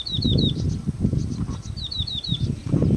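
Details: A yellow-bellied prinia (Prinia flaviventris), singing and displaying, gives quick runs of three or four high, down-slurred chirps, with heavy low rumbling wind noise underneath.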